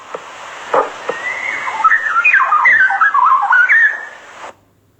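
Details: Straw-headed Bulbul in Singapore, its last stronghold, endangered in its homeland and targeted by the songbird trade, pours out a loud, rich bubbling warble of liquid whistles that carries for kilometres, about three seconds, after a few knocks and thumps.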